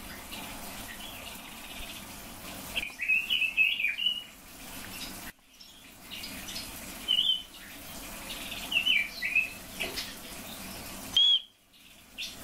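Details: A red-billed leiothrix, kept with silver-eared mesias, sings short, bright warbled phrases over a steady rushing hiss like running water.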